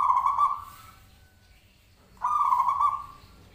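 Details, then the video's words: Zebra dove lure call meant to make the bird respond: two brief rolling coos about two seconds apart, each with a sharp start that trails off. "Pancingan Perkutut Klik Langsung Nyaut"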